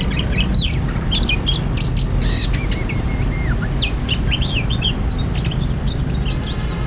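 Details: Oriental magpie-robin singing during a trapping outing: bright chirps and whistles, one long wavering lower whistle in the middle, then rapid high notes, all above a continuous low rumble.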